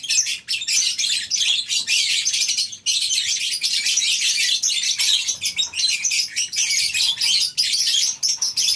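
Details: Many lovebirds calling together in the morning inside a colony breeding aviary, a continuous shrill chattering wall with brief dips near three seconds and short flutter-like bursts.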